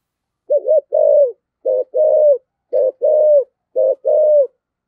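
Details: Spotted dove, 'thổ sấm' style decoy calling: four evenly spaced paired coos, each a short wobbling note then a longer level hoot, repeating roughly once a second against a quiet background.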